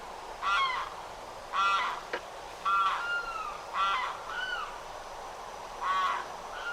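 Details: Loud Limpkin calls from Florida, known for shrieking and crying voices: harsh, ragged wails in an uneven series of about six bursts, some notes clipped short and others drawn out and falling.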